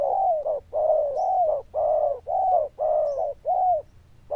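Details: Strong bell-toned cooing from a zebra dove: a continuous chain of rounded, slightly arched coos, each about half a second long, with a faint high chirp from another bird twice.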